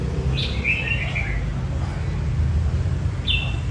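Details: Red-whiskered bulbul in voice training for a singing contest: one warbled, slurred phrase near the start and a short sharp whistle at the end, with constant low droning noise underneath.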